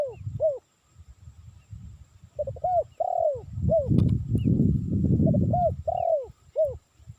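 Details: Spotted dove cooing for luring, with repeated phrases of short hooting notes and longer falling coos spread across the recording. Low rumbling noise is heard between the calls.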